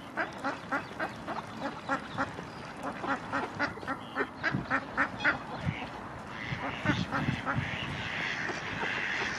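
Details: Indian runner ducks in Friedrich Ebertpark, Ludwigshafen am Rhein, Germany, giving a quick series of short nasal quacks, about four a second, fading into a busier jumble of calls with background noise.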